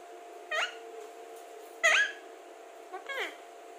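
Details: Alexandrine parakeet, a talking parrot, giving three short clipped vocal bursts, the middle one loudest and sharply rising, with a steady hum in the background.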